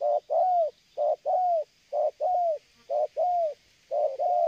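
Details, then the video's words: Spotted dove (tekukur) cooing without pause, recorded as a lure for bird trapping; repeated pairs of a short coo and a longer falling coo, about one pair per second, steady and rhythmic, with faint high hiss behind. "tekukur ini kuat nguku dari jauh mendekat nguku takberhenti"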